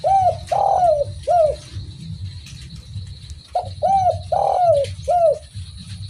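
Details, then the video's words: Derkuku, the spotted dove, cooing steadily: rounded, mellow notes in a phrase of three or four, one note longer and dragging downward, then a silent gap before the phrase repeats, with low rumbling background noise. "BURUNG DERKUKU MANAPUN PASTI IKUT BUNYI DENGER SUARA INI || SUARA FULL GACOR"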